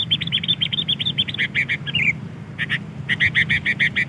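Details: Sooty-headed bulbul from Pidie, Aceh, played to lure wild birds: a rapid string of sharp chirps, then a short slurred note and a fast series of repeated bright notes, over a low background hum.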